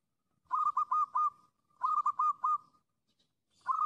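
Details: Wild zebra dove calling: three bouts of soft, rolling coos near one pitch, each bout a quick run of four or five stuttering notes, with short silences between bouts.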